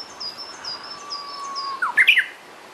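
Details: Japanese bush warbler singing, seen among trees: a long low whistle rising into a sharp, ringing flourish at the end, after a series of faint high chirps; steady background noise.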